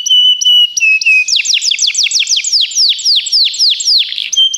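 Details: Begie canary song used for training: a steady high whistled note repeated, then a fast run of downslurred chirps about four per second, ending again on level whistles; clean recording with no background sounds.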